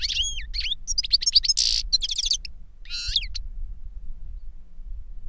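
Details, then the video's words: An older goldfinch sings to teach a younger goldfinch: sliding whistles, quick tinkling notes and a harsh buzzy burst in the first half, a final rasping trill, then quiet low background. "Older GOLDFINCH SINGING to Teach Younger Goldfinch"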